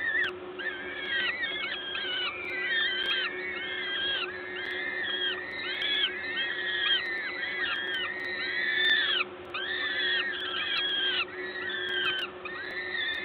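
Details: Peregrine falcons during a feeding at their nest at the Gdańsk LOTOS site, Poland, 14 May 2022. A dense chorus of overlapping nasal, arching whines continues throughout over a steady industrial hum.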